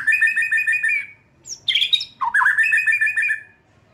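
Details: Young wild white-rumped shama, just moulted out of spotted juvenile plumage, singing: a fast run of rich, repeated chattering notes, a high clear whistle, then a varied warbled phrase.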